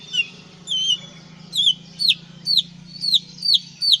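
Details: White-rumped shama of the Aceh type singing short, clear whistled notes that dip then rise, repeated roughly every half second, over a steady low mechanical hum.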